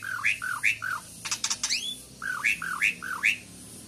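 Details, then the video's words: Asian pied starling singing a run of repeated rising whistled notes, roughly three per second, broken by a burst of harsh clicking rasps before the whistled series resumes. "jalak suren"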